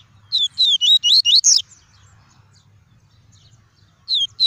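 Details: Tuí tuí song of a caged double-collared seedeater, played to stimulate other birds and train young ones: a rapid run of about six high, swooping whistled notes, a pause, then the next phrase beginning; faint low background hum.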